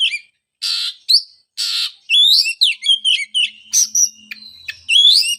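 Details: Song of an Oriental magpie-robin for therapy of a bird that stopped singing after moulting; harsh buzzy notes alternate with fast twittering whistles and slides, delivered in a busy, almost continuous stream.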